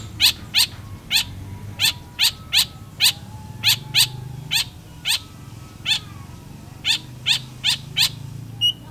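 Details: Long-tailed shrike in vigorous song: a long run of loud, rasping, scratchy notes, often paired, repeated roughly every half second, with a faint low hum behind.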